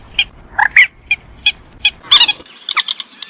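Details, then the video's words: A purple swamphen, a bird of large lowland swamps and reedbeds, gives short, sharp clucking notes about every half second, then a harsher chattering burst and a run of quick nasal clicks. "Suara Pemangil Burung Mandar"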